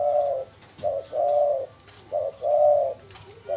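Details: Spotted dove calling, used as a lure to attract wild doves: low, mellow coos in a repeating pattern of a short note followed by a longer, drawn-out note, with brief pauses between phrases; faint background noise.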